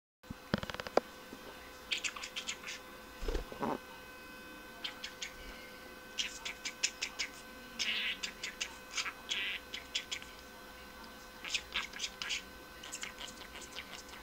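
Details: A pet budgerigar chirps "cik cik" in quick bursts of sharp, high, scratchy notes with short pauses between them.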